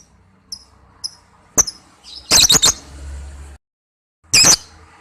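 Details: Lovebird calls used as a lure recording for trapping birds: a few faint high chirps, then a cluster of harsh, shrill, piercing shrieks, a short pause, and one more loud screech.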